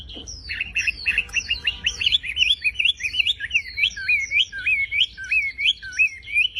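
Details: Javan pied starling singing full and lively as a training recording: rapid whistled phrases that turn into a repeated rising-falling zigzag note, steady and loud, over faint low hum.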